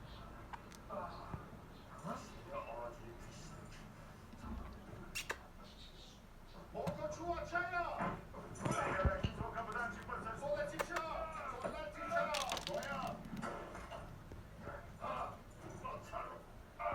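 Budgerigars chatter indoors in a busy stream of warbled, chirping notes.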